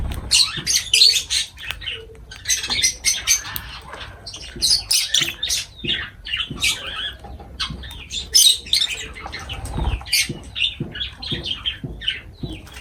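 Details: Lovebirds eating and calling, giving sharp, high, scratchy chirps in quick irregular runs almost without pause, with little low background.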